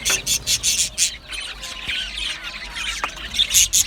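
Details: Australian budgies singing and chirping: rapid bright chirps pulsing about four times a second, then a run of continuous scratchy warbling chatter, with more sharp chirps at the end.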